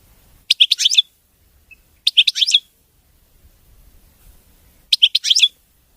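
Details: A European goldfinch delivers three short bursts of dense, bright twittering, each under a second long and spaced roughly two to three seconds apart, with quiet gaps between.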